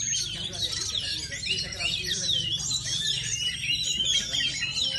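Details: Oriental magpie-robin, described as a kacer of the ngepet type, singing a dense, continuous stream of varied whistled and warbled phrases, high and fast, with sliding notes throughout and a low steady hum underneath.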